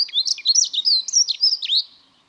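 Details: Dunnock delivering a short, hurried song of about two seconds, a continuous stream of thin, high, squeaky warbled notes that ends abruptly.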